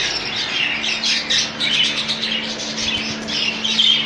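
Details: Rainbow budgerigars in a colony fill the air with continuous overlapping chirping and squawky chatter, the flock noise staying steady throughout, with a constant low electrical hum in the background.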